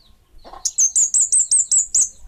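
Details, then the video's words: Kemade Bunga Api bird producing a steady string of seven high, slurred whistled notes, evenly spaced about a fifth of a second apart, after a soft lower note. "Suara Burung Kemade Bunga Api"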